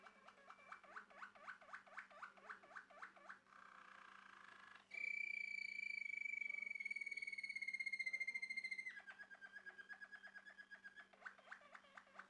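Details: A male Malinois Waterslager canary sings rapid bubbling trills, about three notes a second, then a long pure sustained whistle that falls slightly, before returning to the liquid rolling notes.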